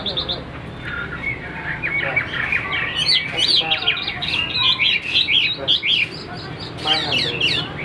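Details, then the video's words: A tame caged Chinese hwamei sings a dense, rapid medley of bright whistles, twisting slurs and chattering notes in tumbling bursts, over steady background noise with faint voices. "CHIM THUẦN - HÓT TỐT"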